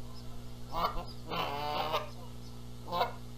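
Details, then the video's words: Canada geese at a nest at Rogers Place, Charlo, Montana, April 14, 2022, squabbling over who sits on the eggs: a short harsh honk, then a longer drawn-out harmonic honk, then another honk, with faint small birdsong behind. ""MY eggs!" "NO! MY eggs!" Canada Goose"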